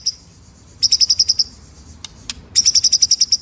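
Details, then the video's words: A white-rumped shama's ngeroll nembak song, kept as master material for teaching other birds: two fast series of piercing high notes, about eight each, separated by a pause holding two isolated sharp clicks. "BURUNG MURAI MASTERAN NGEROLL NEMBAK"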